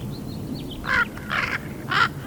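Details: A young raven, 13 and a half weeks old, practising different noises as it learns to use its voice box: three rough, croaking calls about half a second apart, with faint higher chirps at the start.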